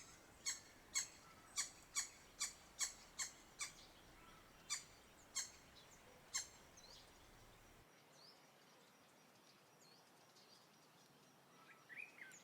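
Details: Green woodhoopoes in a small group, heard from afar approaching a garden in Lilongwe, Malawi: a series of about twelve sharp, clipped high notes at uneven half-second intervals, then quiet background with faint distant calls.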